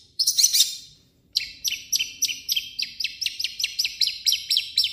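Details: Long-tailed shrike (cendet) singing its own varied song mixed with imitations of other birds: a dense, buzzy burst, a pause, then a run of quick sharp downslurred chirps repeated about three times a second.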